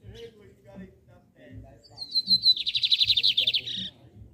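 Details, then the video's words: One loud phrase from a bigodinho, the lined seedeater, compared with torneado song: a short run of high whistled notes accelerating into a fast, even buzzy trill lasting about two seconds, with soft low knocks in the background. "O SENSACIONAL BIGODINHO VS TORNEADOS!"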